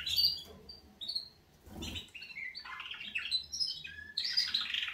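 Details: Canaries singing at wake-up: high bright notes and sliding whistles run together into a busy, continuous warbling stretch, with a short dull knock early on.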